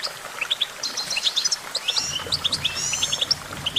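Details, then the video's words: Goldfinch song: rapid, dense twittering of short bright chirps and thin buzzy, slurred notes, high-pitched and continuous, with a faint low rumble of background noise. "Vocal virtuoso: activating enhancing your goldfinch songbird prowess"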